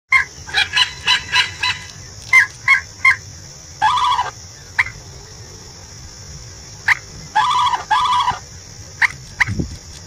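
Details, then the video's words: A pair of common moorhens call to each other, trading short croaking notes and longer stuttering, gobbling bursts, set against a steady high insect-like hiss. "Beautiful pair of Moorhen Bird, calling each others"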